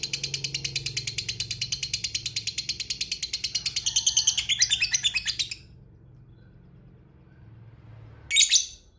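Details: Long ngekek trill of a lovebird, played as a lure so lovebirds answer: fast, steady, high chattering pulses for over five seconds, growing louder toward the end, a silent gap over low hum, then one sharp squeaky burst.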